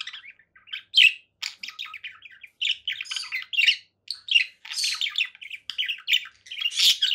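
Conure giving a busy stream of short, scratchy chirps and squawks, mostly high-pitched, in quick irregular bursts with brief pauses, indoors.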